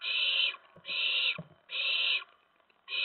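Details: Owlets at night on September 10, 2017, pouncing about the nest while adults bring a rat and mice. Loud, rasping hiss-like screeches, each near half a second long, come in a steady series of four.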